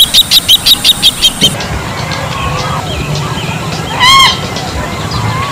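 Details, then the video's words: Bronze-winged Jacana: a fast run of about eight sharp, high piping notes in under two seconds, then a loud nasal arched note over a steady background rumble. "เสียงนกพริก Bronze-Winged Jacana Sound"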